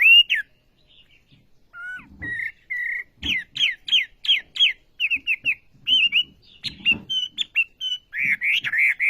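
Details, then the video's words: Olive-backed sunbird song with pauses: scattered whistles, then bursts of sharp downslurred chirps and short clear notes, ending in a rapid trilled flourish; soft low knocks and thumps in the background. "Burung Wambi Gacor Khas Sekali Kicauanya"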